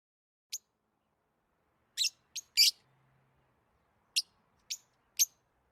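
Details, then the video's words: Lovebirds chirping in excitement, as when playing or eating: short, sharp, high chirps spaced irregularly, a pair close together then single notes, against near silence. "Lovebirds Chirping Sounds"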